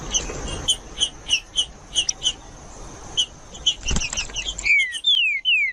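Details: Green-winged saltator judas song used to stimulate a silent bird to sing: spaced short bright notes over a hissy background, a dull thump, then three loud downward-sliding whistles at the end.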